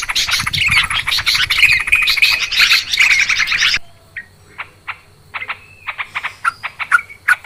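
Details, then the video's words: Noisy Yellow-vented Bulbul calling used as a clear lure for bird trapping: nearly four seconds of busy overlapping chatter, then sparse, crisp single chirps scattered at uneven intervals. "Suara trucukan ribut...suara jernih buat pikat"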